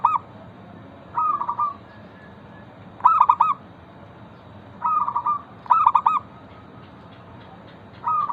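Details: Zebra dove of local stock giving lure song for other zebra doves: trilled coo bursts at irregular intervals, clear stuttering phrases mixed with softer ones.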